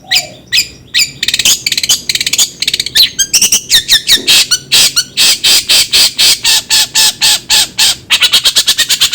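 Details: Harsh, grating long-tailed shrike song used to stimulate another bird to sing: a long, steadily repeated series of loud rasping squawks, several per second, speeding up toward the end.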